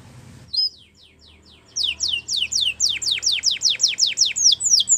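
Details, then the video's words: Canary song for stimulating canaries to sing: after a short pause, a steady run of sharply falling whistled notes repeated about four times per second, growing louder. "Does Your Canary Not Sound ? Use This, He Will Sing A Lot"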